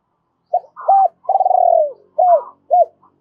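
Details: Lure spotted dove giving double-voiced calls to excite wild doves: a short coo, an arched coo, a long vibrating coo gliding down, then two hooked coos, with a faint higher overtone-like note.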